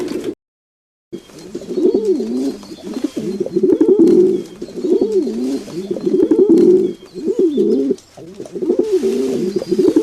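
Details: Domestic pigeons giving clear, low, rolling coos in distinct phrases of roughly two seconds, each swelling and dipping in a wavering pattern, separated by short quieter gaps after a brief silence at the start.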